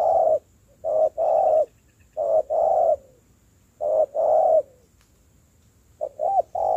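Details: Spotted dove cooing while being trained as a decoy bird; repeated phrases of one or two short hoots leading into a longer hollow coo, with brief pauses between.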